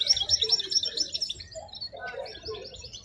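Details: Wild European goldfinch singing at the Al-Quray'a bird market: rapid, high, tinkling twitters and trills in quick bursts, with fainter lower chirps and background market noise.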